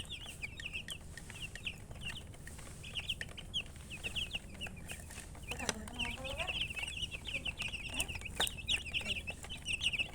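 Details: Many chicks peep constantly in high, thin, falling notes. Around the middle, a lower, deeper sound briefly breaks in before the busy chirping resumes.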